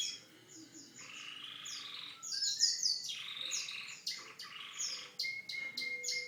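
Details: Domestic canary song mixing slurred high whistles, buzzy rolling trills and a few thin sustained tones, delivered in lively varied phrases.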